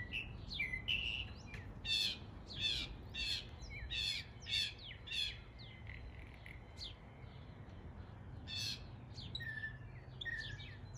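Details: Imitating the calls of local East Tennessee birds, a northern mockingbird gives a rhythmic series of loud harsh chirps roughly every half second, then softer scattered whistles, over steady low background hum.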